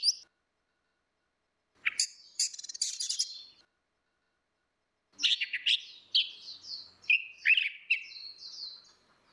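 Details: Female and male orange-headed thrushes singing ngeplong as a lure for a bird that has stopped singing: two bursts of rapid chattering and slurred whistles separated by silence, the second burst longer and more varied.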